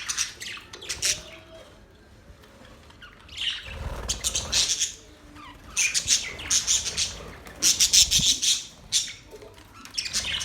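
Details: Budgerigars singing in dense bursts of high, scratchy chirps and twittering, rapid clusters of notes separated by short pauses, with a brief low thump near the middle.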